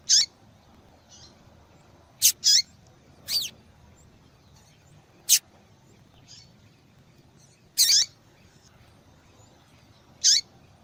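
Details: Persistent calling of a female double-collared seedeater, used to attract males and wake a quiet male into song; about seven sharp, high chips, some in quick doublets, with faint softer notes between, over a low background hiss.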